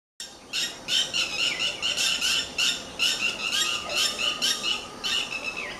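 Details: Red-wattled lapwing calling while fighting with dogs: harsh, strident notes repeated rapidly in a near-continuous, agitated series, each call a loud squawk with a sharp onset and brief dip, about two per second.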